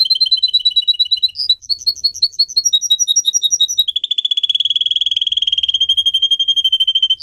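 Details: Canary song for singing training. A double-pitched rattling trill, a bright pulsed sequence of clear notes, then a long, fast, buzzy rolling trill that holds steady for several seconds, ending with a sharp chirp.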